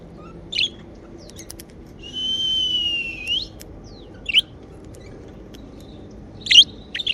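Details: Happy domestic budgerigars: a long, steady, whistled note lasting about a second, ending in a slight upward flick, between isolated sharp chirps.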